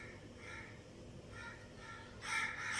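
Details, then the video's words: Budgerigar breeding pair, also called Australian parakeets: a few soft, short chirps, then a loud, harsh, scratchy burst of chatter at the end, with a faint steady hum behind. "Amazing Budgies chirping sounds | Australian parakeet breeding pair"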